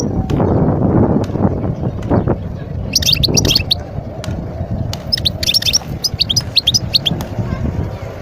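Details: Wild European goldfinch recorded in Guerbaz, Skikda, Algeria, in 2022. The first half holds low rumbling background noise. From about the third second, quick high twittering bursts of song begin and then repeat in short runs.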